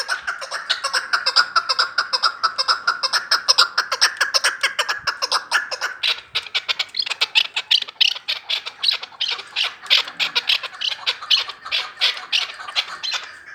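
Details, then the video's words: Chukar partridge from Vanj: a rapid, loud run of harsh clucking notes, about two per second, with fast chattering syllables building into a steady rhythmic series toward the end. "Кабки Ванҷ"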